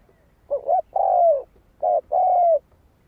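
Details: Spotted dove used as a lure for wild doves. Two quick phrases, each a brief doubled coo followed by a long, smooth, falling croon, with quiet low noise behind.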